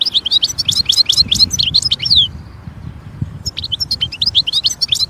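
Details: European goldfinch in nature giving dense, lively high twittering with quick liquid notes, a pause of about a second, then the chattering song resumes.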